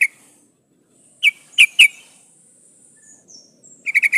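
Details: Female sooty-headed bulbul in breeding condition calling the male: a sharp note, then three loud clipped notes near the middle, and a fast run of five chattering notes at the end, with faint high whistles between.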